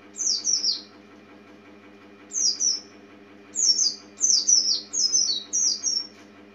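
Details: Oriental white-eye producing thin, high-pitched, downward-sweeping chirps, first in pairs, then in faster groups of three toward the end, over a constant low background hum.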